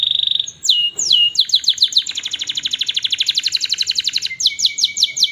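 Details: Canary singing in a master recording meant to get silent canaries to sing: a long steady whistle, swooping slurs, then a fast rapid-fire trill of clipped notes ending in repeated bright downward sweeps.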